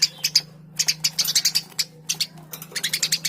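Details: Eurasian tree sparrow (Passer montanus), called burung gereja in Indonesia, chirping busily: rapid bursts of short, sharp, high chirps in quick clusters with brief pauses, over a faint steady low hum.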